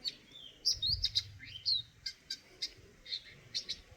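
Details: Eurasian nuthatch uttering loud, high chirps and downslurred whistles in quick succession, then softer evenly spaced notes, with a faint low hum beneath.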